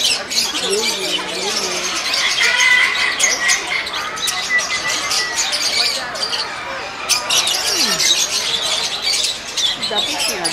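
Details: Masked lovebirds (Agapornis personatus) at Nehru Zoological Park, Hyderabad, keep up a shrill, rapid chatter of high squeaks and squawks throughout, with people talking nearby.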